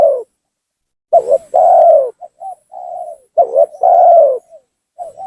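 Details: Spotted dove cooing used as a lure to agitate and bring down rival doves: two full phrases of a quick double note and a long falling coo, each followed by soft short coos and a gentle trailing note.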